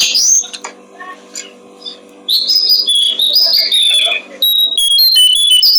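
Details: Brown-streaked flycatcher song recorded as training material for songbirds: a few faint chirps, then a long, lively stream of high, sharp whistled notes and trills, with a low background hum.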